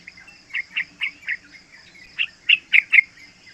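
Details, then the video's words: Three-month-old yellow-vented bulbul singing for use as a lure: a slow series of spaced, rich bubbly notes, a short pause, then four louder, sharper notes in quick succession, over a constant high hum. "Panggilan trucukan muda AMPUH buat Pancingan trucukan agar bunyi ropel"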